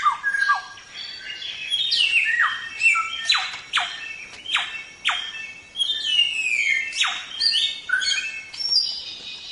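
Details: Varied Samyong singing recorded as training material for songbirds: steep rising and falling whistled sweeps, squeaky notes and quick warbled runs, mixed without pause.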